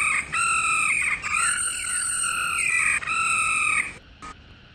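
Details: Female laughingthrush giving its 'ro' call, used to stimulate males into singing: long, nasal, harmonic-rich notes of about a second each, run together in three drawn-out phrases with slight wavering sweeps, ending abruptly before a short faint note.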